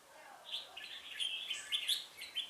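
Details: Red-whiskered bulbul decoy in a trap, 1 October 2018, calling wild rivals in: one brief run of bright, rapid chirping notes.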